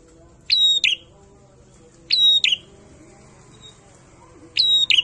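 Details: Prinia delivering a loud "ngalun" song: three separate bursts of piercing, high chirps with a metallic ring, each burst a quick double note, spaced irregularly about two seconds apart against a quiet background.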